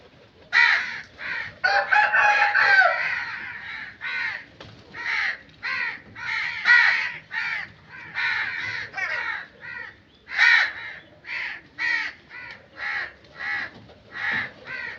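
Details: A long sequence of loud crow caws, beginning with a dense harsh outburst and continuing as evenly spaced grating calls roughly every half second.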